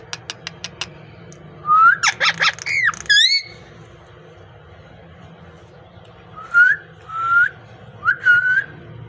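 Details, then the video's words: Parrot indoors giving a few sharp clicks, then a burst of harsh squawks and looping whistles, followed after a pause by three short rising whistled notes. "Parrot speaking"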